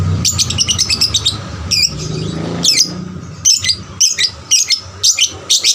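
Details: Lure song from a young lovebird meant to make other lovebirds sing more; rapid strings of sharp, high, buzzy chirps, a brief lull, then evenly spaced shrill notes about twice a second.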